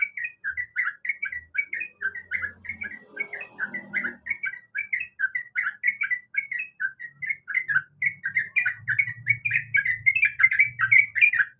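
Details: Female sooty-headed bulbul calls the male with rapid repeated bubbly whistles, growing denser toward the end, accompanied by faint low rumbles and a soft rustle midway.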